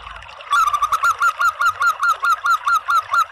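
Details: Zebra dove of a local strain calling as a lure for other doves: after a quiet start, a steady, even series of hooked cooing notes, about two to three each second.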